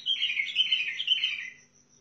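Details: Sihani bulbul from Al-Faw, Basra, giving a rapid, chattering, warbled phrase of bright notes lasting about one and a half seconds before fading out, over a faint low hum.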